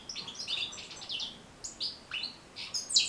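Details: European goldfinch song for training captive goldfinches to sing: short bursts of bright, tinkling twitter notes, some sliding downward, separated by brief pauses, with a louder buzzy flourish at the end.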